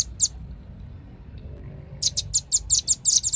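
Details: Velvet-fronted nuthatch: one high chip, a quiet spell of nearly two seconds, then a burst of loud, fast, sharp notes.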